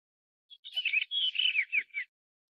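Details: Blue rock thrush of the blue-bellied subspecies pandoo from Taiwan, singing one rich, warbled phrase lasting about one and a half seconds. The phrase runs as a quick run of fluty, slurred notes, several dipping downward at the end. The setting is quiet.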